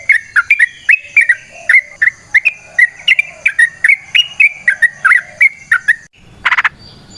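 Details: Lure recording of a Yellow-vented Bulbul (trucukan) singing a long phrase in a natural setting: rapid bubbling whistled notes roll on for several seconds, then break off, followed by a brief harsh noise.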